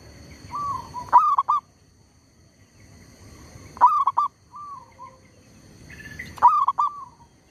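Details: Zebra dove kept as a decoy to lure wild birds for trapping, calling undaunted though disturbed by a tree squirrel. Three loud stuttering cooing phrases, each a sharp rising note then quick broken coos, about every 2.5 seconds, with softer coos between.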